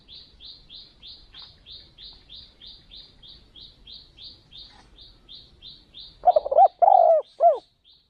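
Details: Spotted dove used as a decoy bird for luring doves, taken to another province. A fast series of thin, high repeated chirps from another bird runs throughout, then near the end come loud, low, throaty coos: short notes and a longer rolling coo.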